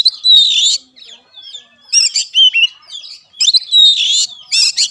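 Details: Oriental magpie-robin tutor song meant to spark singing in a caged bird. Buzzy, rattling bursts alternate with thin twittering whistles and scattered chips, with quieter stretches between the louder phrases.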